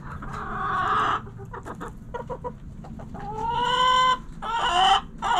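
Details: Backyard chickens, roosters crowing and hens clucking: a loud harmonic squawk, a cluster of quick clucks, then a long, smoothly sliding crow and a final rough burst.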